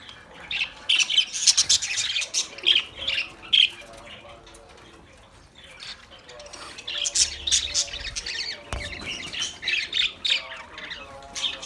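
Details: Chirping from an Australian parrot: bursts of rapid high squeaky chirps, a quieter middle stretch, then dense chattering again, plus faint low tones and a single click.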